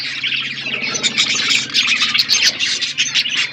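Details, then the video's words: Budgerigars chattering while eating food: a dense, continuous mix of fast twittering chirps, squeaky warbles and short scratchy notes overlapping throughout, with no pauses and no other clear sounds. "Budgies eating food | Birds eating food | Birds chirping sounds"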